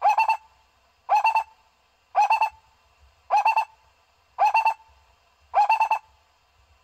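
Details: A barbet, in a call used to lure barbets in quickly, gives hollow, mid-pitched double or triple notes, one burst a little over once a second, steady and loud with no other sounds.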